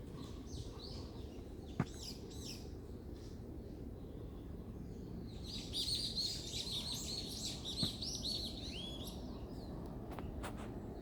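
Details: Wild birds singing along the Sarabong walking trail above the pier in Jeju City: high, rapid chirping twitters in dense bursts, strongest midway, over steady low background rumble with a few sharp clicks.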